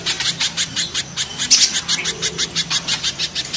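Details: Spiderhunter, mountain versus banana spiderhunter: a continuous series of hard, high-pitched chips, roughly four a second and slightly uneven, with one short buzzy note midway over faint background hum.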